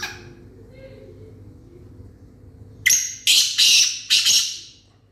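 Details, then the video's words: Black francolin calling: after a quiet stretch with faint low hum, four loud, harsh, grating notes burst out in quick succession, each short and rasping, before the sound fades away. "kala teetar"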